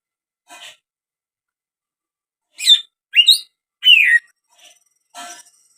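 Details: Greater green leafbird with a strange sound: a few abrupt, squeaky chirps in quick succession, the last slurring downward, framed by faint rustling taps.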